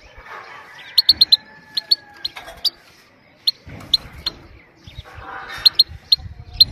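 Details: Calm 'pit pit' call of a female goldfinch, meant to stimulate males and teach young birds: crisp, high clicks in clusters of two or three, spaced irregularly, with faint murmuring and soft thuds behind.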